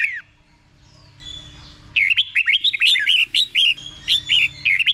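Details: Red-whiskered bulbul, 'beul' doubled song for caged learners: a falling whistle, a quiet gap, then a fast bubbling string of short chirpy whistles repeated rapidly.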